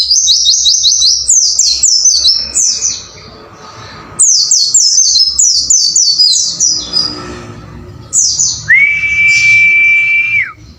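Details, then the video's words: White-eye song for training caged birds: fast bursts of high, thin downslurred chirps, a pause, another chattering burst, then a long, steady whistled note at the close. "MASTERAN BURUNG PLECI AGAR GACOR WUCIT WUCIT"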